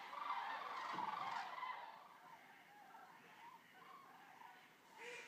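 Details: About 200 arriving common cranes resting at Racconigi, Italy, give overlapping rolling, trumpeting calls that swell loud at first, then thin to scattered bugles from several birds.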